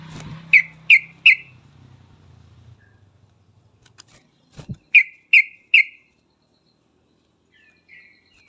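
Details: Sooty-headed bulbul lure song for making other birds respond: three clear, whistled notes in quick succession, a low rumble and pause, then the same three-note phrase repeated, with faint soft calls afterward.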